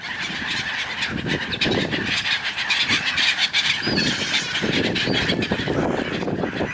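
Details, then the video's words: Many gulls arguing in a flock on the River Dnipro in Kyiv, Ukraine, in winter: a dense, overlapping din of harsh, honking calls, with low rumbling background noise. "Many Seagulls."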